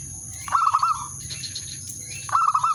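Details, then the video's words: Zebra dove calling to lure a rival and trigger mating readiness: two short bursts of rapid, rolling coo notes separated by a pause, with faint background hum and constant high-pitched tones. "burung perkutut/merbok pikat memanggil lawan bikin birahi gacor manggung"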